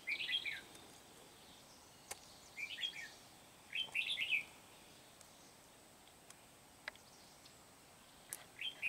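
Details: Red-whiskered bulbul used as a decoy for trapping in Kim Bôi, recorded 8 September 2019: short bright chirpy phrases around the mid-high range, spaced by pauses, with sharp clicks between.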